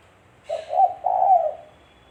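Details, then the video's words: Tekukur (spotted dove) used as a lure in trapping; a single low coo phrase: brief opening note, a pause, then a longer husky coo. "Suara Burung Tekukur-Suara Tekukur Buat Pancingan Mikat"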